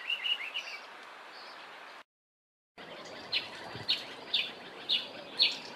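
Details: A Grey-headed Sparrow in an Eastern Cape, South Africa garden gives short, high chirps, about two a second, over a steady outdoor hiss, with a brief break partway through.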